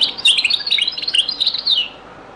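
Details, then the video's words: European goldfinch, Beni Messous 'les avocats' (zaboka) style from Algeria, very old recording. One continuous, dense phrase of bright, rapid twittering and jingling notes that trails off after about two seconds. "#تغريد - تسجيلة جد قديمة بني مسوس ليزافوكا | chant beni Messous les avocats zaboka"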